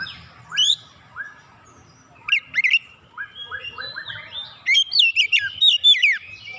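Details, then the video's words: Lure song of a kacer (oriental magpie-robin) showing off its repertoire: soft clipped chirps repeated several times, then a loud cascade of rapid, twisting whistled notes that climb and drop steeply. "PANCINGAN KACER LANGSUNG GREGET GACOR BONGKAR ISIAN"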